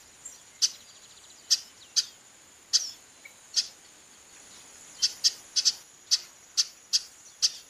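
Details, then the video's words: Female chestnut-capped blackbird calling repeatedly: short, sharp, dry chip notes given at irregular intervals, sometimes in quick pairs. A steady high thin tone runs behind throughout. "Fêmea de Garibaldi chamando muito"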